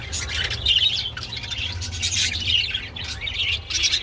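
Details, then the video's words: Chattering budgerigars during mating produce scratchy warbles and sharp chirps in uneven bursts, with brief pauses between, a low hum behind. "Parakeets Mating II Budgie Mating and Sounds II Birds Mating Call II বাজরিগার পাখি"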